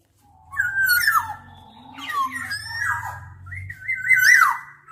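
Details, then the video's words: Black-naped oriole giving a run of fluty, warbling whistles with rough, buzzy edges, heard almost continuously over a steady low humming background. "Tiếng chim Vàng anh Gáy đen"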